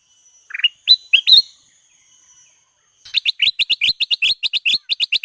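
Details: Lure song of the sooty-headed bulbul, known locally as Kutilang Emas, for training caged birds to sing. A few rising slurred notes come first, then a fast, even run of crisp repeated chirps. A faint high tone sounds underneath.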